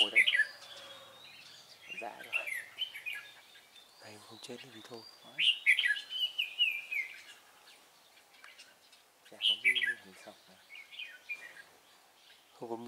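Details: Red-whiskered bulbul during trapping, recorded on 3 March 2017, a singing bird sought for its fine voice; bright warbled phrases with quick rising and falling whistles recur in bursts every few seconds, with low knocking noises between.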